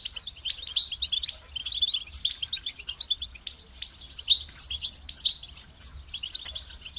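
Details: European goldfinch delivering phrased song with a start and stop: high metallic twitters, buzzy trills and sharp chirps in irregular bursts over seven seconds.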